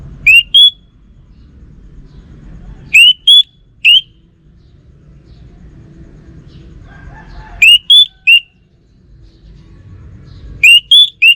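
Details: Orange-headed thrush, a kept songbird, repeating short phrases of two to three pure whistled notes, middle one higher, at intervals of several seconds against faint background noise.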